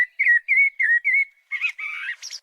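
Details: A Common Blackbird sings one short verse, typical of spring gardens: five deep, mellow, fluting notes at a relaxed, deliberate pace, ending in a squeaky, higher-pitched twiddle.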